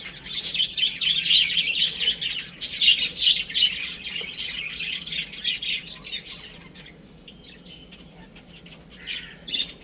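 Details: Chicks playing at home peep loudly in quick, repeated high notes for the first half, then the chorus fades to sparse, quieter cheeps.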